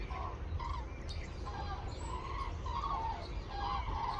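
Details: Wintering common cranes leaving Spain for northern breeding grounds, in the Campo del Moro gardens, Madrid, on 21 February 2024, give repeated rolling trumpeting calls, several birds overlapping at a steady pace, over heavy low wind rumble.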